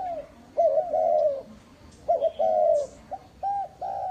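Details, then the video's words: Spotted dove lure bird in northern Vietnam giving a short note followed by a drawn-out, mellow coo, then clipped coos, over a quiet background. "chim cu mồi hay đủ bài"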